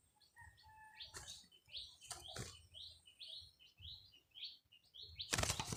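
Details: Caged red-whiskered bulbul used as a decoy bird, recorded 30 April 2025, gives a quick series of short, bright rising chirps, with loud clattering knocks at the start and end.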